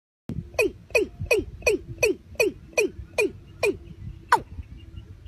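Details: Watercock calling: a quick series of about ten sharp notes, each sliding steeply downward, given roughly three per second. Two more spaced notes follow after a short pause. No other sounds are heard.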